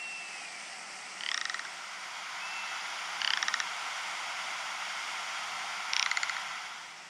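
Rock ptarmigan giving three short, dry croaking rattles, each a quick burst of clicks, spaced two to three seconds apart over a steady wind-like hiss.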